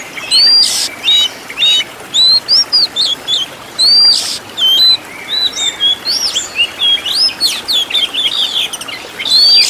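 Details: Master recording of an Oriental magpie-robin for training caged birds, full 'tembakan' fill: loud clear whistled upslurs and rich rapid chattering phrases, delivered in bursts with short gaps over about ten seconds.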